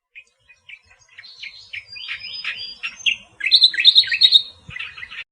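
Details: Natural song of the Australian reed warbler, starting with quiet spaced chips and building to a loud stream of slurred, scratchy, whistled notes, ending in a brief grating burst.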